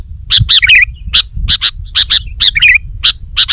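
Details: Lively sooty-headed bulbul song meant to press rivals and attract wild birds: quick clusters of bright chirps mixed with fluttering, warbled notes, about three to four bursts each second over a faint low hum.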